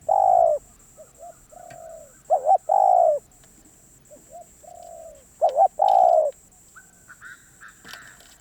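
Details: Spotted dove calling repeatedly: three loud phrases of a double-note opening and a long coo, with softer short coos between them. Some high faint chirps appear toward the end.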